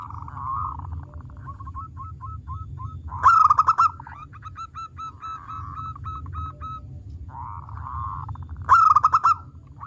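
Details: Zebra dove of a local strain (perkutut lokal) in full song, played to lure and stimulate other doves; low rolling coos and short clipped notes between two loud, ringing, trilled phrases about five seconds apart.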